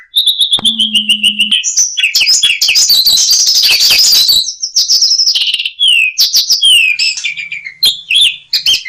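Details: Masteran recording of an Asian pied starling packed with varied fill-ins: a held whistle over a low steady hum, then a dense jumble of chirps, trills and squeaky twittering notes.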